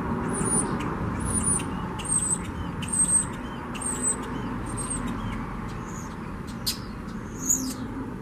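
A common starling gives a series of thin, high whistled notes, about one per second.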